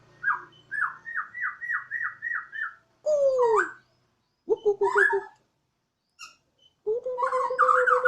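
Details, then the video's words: Home-kept Bornean white-rumped shama in spirited siren-like song: a run of about eight quick repeated whistled notes, followed by harsher, lower squawking phrases with gaps of silence between bursts. "Murai odong-odong (BORNEO) dengan penuh semangat si Burung berkicau layaknya suara sirine"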